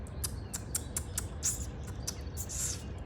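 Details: A bird in the morning while building its spring nest gives short, very high, thin chirps in quick, uneven bursts over a steady low hum.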